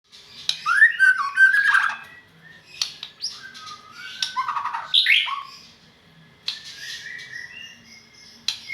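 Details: White-rumped shama from Medan, singing a varied phrase of rich whistled notes, slurred and warbling, with sliding notes, short bursts and pauses between phrases.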